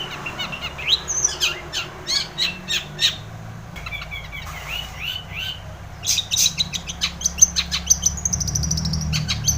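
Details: Long-tailed shrike singing vigorously as a trigger for a silent shrike: rapid varied twittering and clicking notes with harsh bursts and thin high drawn-out whistles, pausing briefly midway before resuming; low background hum.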